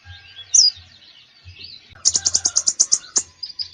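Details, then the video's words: Konin singing in full, lively form for training konin that rarely sing: a sharp whistle and soft twitter, then a fast burst of a dozen clipped high notes repeated evenly for over a second, ending in chatter. "KONIN GACOR FULL ISIAN"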